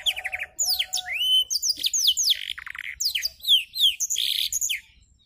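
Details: Young canary rehearsing black-throated canary song, wings spread; quick run of short notes, a rising whistle, then varied descending slurs, chattering buzzes and sharp high chirps in lively succession.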